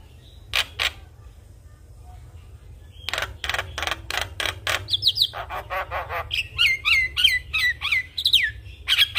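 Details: Javan myna singing vigorously, its song full of varied fill-in phrases meant to prompt other mynas to sing: a few scratchy notes, then fast rasping bursts and a chain of sharp whistled slurs, over a low hum.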